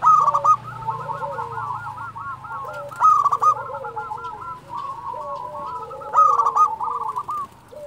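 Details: Zebra dove of a local strain in full song. It gives loud trilled coo phrases roughly every three seconds, each followed by a rolling, bubbling run. Softer, lower dove coos sound in the background.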